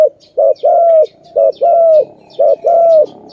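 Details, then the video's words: Malay dove, or Zebra dove, filmed where doves are trapped and released, giving three evenly spaced phrases, each a short note followed by a longer smooth coo that fades slightly at its end, roughly one phrase per second. "Lovely dove- Video lovely Malay dove, Sound of good dove"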